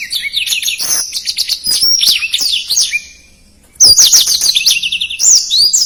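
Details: Blackthroat in full, rapid song with its characteristic phrasing: a run of high twitters and slurred whistles, a brief silent pause near the three-second mark, then a fresh energetic burst of rising and falling notes.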